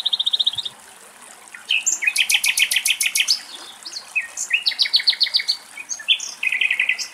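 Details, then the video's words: A male goldfinch in Greece gives bursts of rapid, high-pitched trills and twittering phrases, each run of repeated notes shifting pitch, separated by short pauses. "Καρδερίνα Αρσενικό Πτηνό - Καρδερίνας Κελάηδημα - Goldfinch bird and song"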